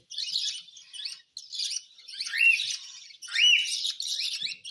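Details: During hand-feeding of a pet cockatiel, scratchy, breathy begging bursts come about once a second, two of them bending into a clear arched squeak.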